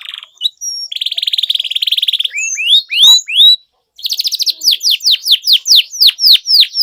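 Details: Canary song meant as a lure to get stalled canaries singing again: a long buzzy rattle, a few rising swept whistles, a brief silence, then loud descending notes repeated about three per second.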